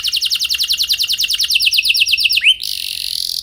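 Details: Canary roll for training other canaries to sing: a rapid trill of slanted high notes for over two seconds, then a brief upward slur and a dense buzzy burst.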